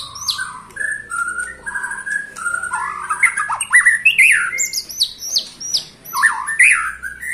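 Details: White-rumped shama, 21 years old, delivers a varied song: low steady whistles at first, then bursts of sharp rising and falling slurred notes and high chattering phrases.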